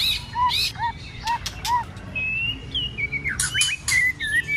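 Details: White-rumped shama in cold-season fighting song with many voices: low arched whistles repeated in pairs, then long level and slurred higher whistles, broken by sharp broadband clicks.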